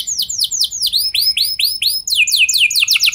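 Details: Canary singing to get other canaries going: quick descending whistled notes, then arched repeated phrases with high overtones, shifting into sharper, faster downslurred notes near the end.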